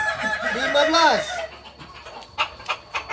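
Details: Kukuak balenggek rooster crowing on a Sunday at Ampangkualo: a series of rising and falling arched notes over about a second and a half, against a noisy background with crowd sounds.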